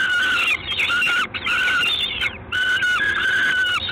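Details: Peregrine falcon at Gdańsk at 19:47 on 3 June 2016 giving loud, harsh, drawn-out wailing calls in near-continuous bursts, some notes bending up and down, with a faint background hum.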